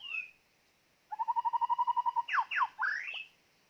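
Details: Decoy white-rumped shama for trapping birds, opening with a falling whistle, then a steady rapid trill of about fourteen even notes, finished by loud sweeping slurs up and down.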